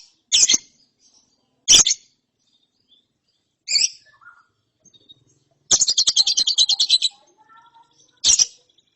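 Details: Juvenile lovebird after therapy in ngeriwik mode: scattered harsh high chirps, then a rapid, rattling burst of about fifteen buzzy notes lasting over a second, and a final chirp.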